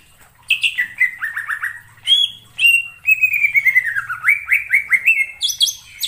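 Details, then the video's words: Cucak ijo recording used to lure birds for trapping: a long string of clear whistled notes, many falling slurs repeated quickly, ending with high sharp chips. "suara pikat burung cucak IJO"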